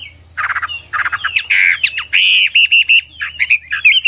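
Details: Hwamei training song opening with harsh, buzzy, rattling bursts, then switching to loud, pure whistled notes repeated quickly, over a low hum and a thin steady high tone.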